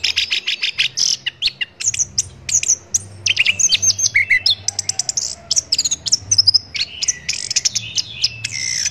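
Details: Varied, continuous Orange-headed thrush song used to train captive songbirds: rapid high chirps and clicks mixed with sliding whistles and buzzy bursts, delivered almost without pause; low background hum.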